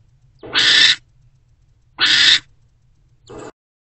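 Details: Barn owl mother and older owlet together in Owl Box C early on 20 February 2024; two strong hoarse screeches about 1.5 seconds apart, then a shorter third call cut off.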